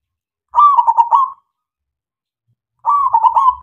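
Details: Local zebra dove singing as a lure for other doves: two loud, rolling coo phrases of quick stuttering notes, about two seconds apart.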